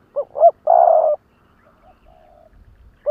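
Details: Caged decoy spotted dove in Vietnam, calling in the "lụp đờn cò" style to challenge wild rivals: two short arched coos, then a long steady half-second coo, faint softer trailing notes, and another short coo at the end.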